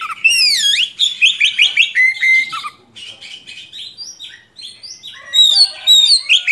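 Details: Oriental magpie-robin in energetic long rolling song, suited for tutoring young birds: a swooping slurred whistle, a run of quick rising notes, a flat held whistle, then quieter varied twitters before loud phrases return.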